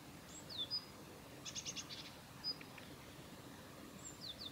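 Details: Female Daurian redstart calling at the Kita-Fuji training area in Japan on 7 November 2021; thin high whistles and downslurred notes with a short rapid series of four dry clicks in the middle, faint rural background.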